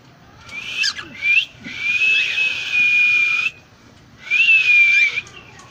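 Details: Cockatiel calling, the voice described as real: long drawn-out whistled notes, one held steady for nearly two seconds, then a shorter whistle after a pause, with faint background hum.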